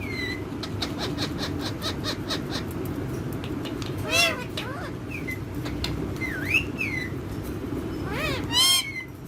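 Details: Pet parrot interacting with other parrots: scattered sliding whistles and a few harsh, rising and falling squawks over a steady low rumbling background, with rapid clicking ticks early on.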